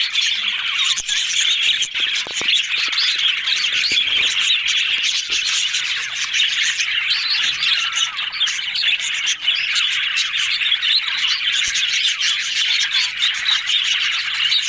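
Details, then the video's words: Yellow budgies chattering happily in a long, even stream of high warbles, chirps and scratchy squeaks from many birds, punctuated by frequent sharp clicking sounds. "Yellow Budgies Talking Sounds Happy"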